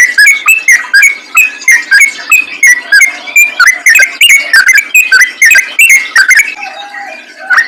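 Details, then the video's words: Yellow-vented bulbul lure song for attracting other bulbuls: fast, bubbling whistled phrases in quick succession, slightly rising and falling, ending with a softer, sustained tone. "BURUNG TRUCUKAN ROPEL GACOR NGALAS||PANCINGAN AMPUH UNTUK SEMUA JENIS TRUCUK"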